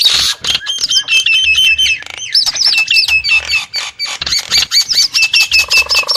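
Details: Nias hill myna giving quick strings of bright, bouncing whistles, several similar notes repeated in each run, broken by short gaps and a few harsh notes.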